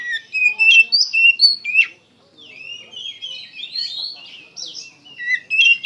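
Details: Oriental magpie-robin pouring out clear whistled notes, a short silence near two seconds, then softer warbling that swells to loud whistles at the end.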